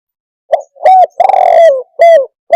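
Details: Loud, near spotted dove giving a cooing phrase: a brief note, a rounded coo, an extended buzzy croon sliding downward, then a further falling coo and the start of another, over silence.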